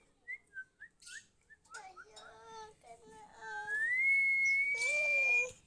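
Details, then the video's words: Female Oriental magpie-robin kept for training singing birds. Brief high whistled notes repeat, then lower nasal harmonic calls, ending in a long, slowly rising pure whistle held for almost two seconds. "Melatih Burung Kacer Biar Gacor"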